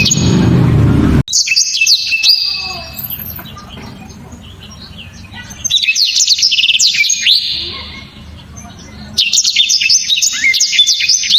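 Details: After a short burst of low noise, a blacktrod gives hard, sharp 'tembakan' shots: three separate bursts of fast, high, whistled slurs and trills with quieter gaps between them.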